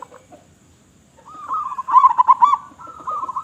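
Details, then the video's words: Local zebra dove, praised as a loud, eager singer, gives a single long rolling coo phrase, beginning smoothly, breaking into four strong pulsed beats, then trailing off in a steady hum-like note. "Perkutut Lokal Gacor Suara Besar"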